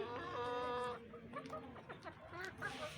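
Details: Rooster kept with a family of hens, crowing: a sustained, richly harmonic note that ends abruptly after about a second, followed by soft scattered clucks from the flock.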